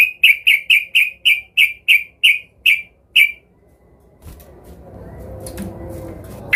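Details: Yellow-vented bulbul, agitated and seeking a rival, gives a series of about ten harsh, clipped notes that slow slightly toward the end. A quiet low hum and faint scattered sounds follow.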